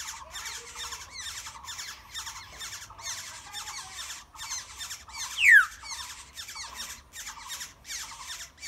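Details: Black-hooded oriole chicks in a nest being fed by parents, wild, in a Bangladeshi village: harsh, buzzy chattering bursts repeated rapidly and steadily, with one sharp falling whistle near the middle.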